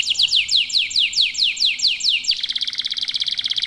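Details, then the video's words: Local domestic canary in full song: about a dozen rapid downward-sweeping whistles, then a fast, tightly pulsed rolling trill. "KENARI LOKAL GACOR TOTAL, SEMUA IKUTAN BUNYI"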